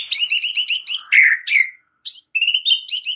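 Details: White-rumped shama in full song, used to stir other shamas: rapid repeated bright chip notes in a steady rhythm, a slurred burry phrase, a brief silence, then more quick ringing notes.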